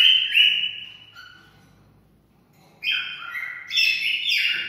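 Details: Cockatiel singing for mating: a bright falling whistle, a quiet pause, then a quick run of stepped, warbling whistled notes rising and falling.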